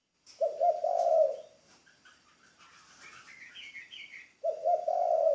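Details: Spotted dove, a newly training ground decoy bird. A low, rolling coo opens and closes the passage. Bright, twittering chirps from other birds come in between.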